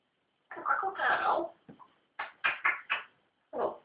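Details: African grey parrot kept as a new pet, talking indoors: a run of speech-like syllables, a longer warbled phrase followed by several short clipped sounds in quick succession, then a final rounded utterance.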